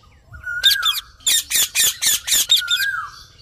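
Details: Rose-ringed parakeet letting out a steady run of about eight harsh, evenly spaced squawks. Smooth sliding whistles sound at the start and end.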